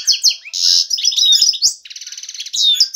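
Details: Male European goldfinch ready to breed, singing excitedly to attract a female for mating and nest building; rapid high twittering with buzzy trills, sliding whistles and a rattling stutter near the end.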